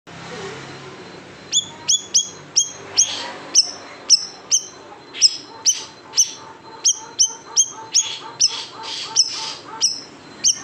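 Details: Large siri-siri bird in a tutoring recording for cage songbirds, in the sharp 'tembakan pedas' style: a fast run of about twenty piercing, high, downward-snapping notes with a lower echoing overtone, loud and spaced under half a second apart.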